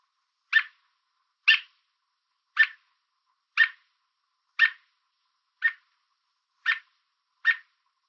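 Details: American robin perched on a fence in Southern Ontario, Canada, calling out to warn an intruder away: eight sharp, clipped chirps spaced about a second apart, each a brief bright burst, with a quiet background.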